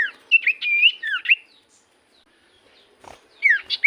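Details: Common iora song from a lure recording: a quick cluster of high, slurred whistles twisting down and up, a pause with a faint click, then more falling whistled notes.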